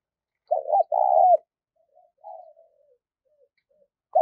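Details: Spotted dove giving the 'thúc' call used to lure birds for trapping: one strong phrase of quick notes and a long rolling coo, soft trailing coos after, and another phrase starting at the end.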